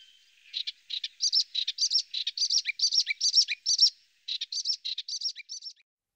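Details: Eastern olivaceous warbler singing in a garden in the Bassa Modenese, Italy, where it is rare, after the storms of May 2023: a fast, chattering run of short, dry, scratchy notes, briefly pausing near four seconds, then resuming.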